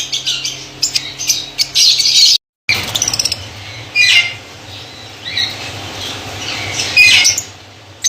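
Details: A white lovebird colony in Pakistan gives scattered shrill squawks and chirps, some loud bursts separated by quieter stretches, over a low background hum and a short gap of silence.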